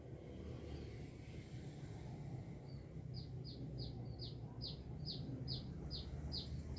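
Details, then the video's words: Sunbird singing vigorously: a run of short, high, downward-sweeping chirps repeated about twice a second, starting partway through over a steady low rumble of background noise. "Burung kolibri gacor"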